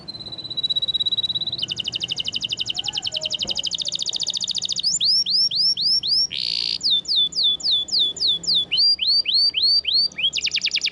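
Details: Canary, F1 SF type, tutor song: a steady whistled note, then a long rolled trill, hooked upslurred whistles, a harsh burst, and rapid downswept notes repeated several per second, with faint background noise.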